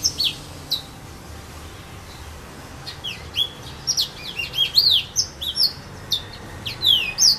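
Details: At Saint-Philippe, Réunion, a serin pays (yellow-fronted canary) in casuarina trees: scattered high chirps at first, then a quickening, dense series of bright downslurred and looping whistles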